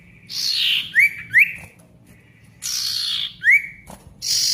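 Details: Vigorous male Ashy Tailorbird, played to restart tailorbirds that stopped singing. Rasping buzzy bursts and paired quick upslurred whistles, with gaps of quiet between phrases.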